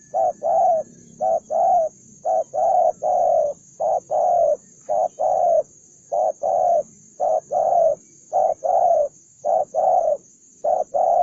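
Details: Aggressive, belligerent Spotted dove cooing persistently: about a dozen paired phrases, each a short note followed by a longer husky coo, delivered in a fast regular rhythm, with a steady faint high-pitched hum throughout.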